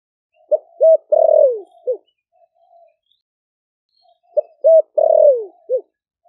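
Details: Two repeated phrases from a caged Vietnamese spotted dove of Ninh Thuận, four months in captivity, singing 'thổ đặc' style to stir other doves. Each phrase: two short low coos, a drawn-out falling coo, and a short closing note.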